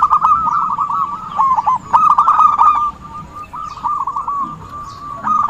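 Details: Singing zebra dove used to lure wild birds for trapping, delivering a quick stuttering series of short coos, louder at first, then softer notes trailing on.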